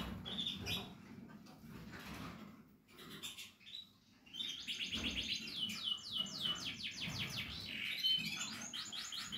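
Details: Canary chicks, Portuguese Harlequin breed, kept in captivity; rapid high chirps and twittering, about four per second in the second half, with faint low background hum.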